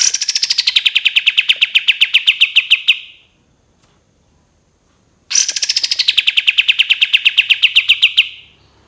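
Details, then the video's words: Cream-vented bulbul repeats two long 'tembakan' bursts, each a fast chattering string of sharp notes sliding down from high pitch and holding steady for about three seconds, separated by quiet. "KAPAS TEMBAK TEMBAKAN PANJANG"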